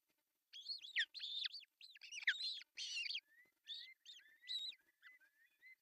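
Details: At an artificial osprey nest in Finland, on June 10, 2024, the male brings fish for breakfast. Dense shrill whistled calls give way to thinner, lower, gently rising peeps repeated several times.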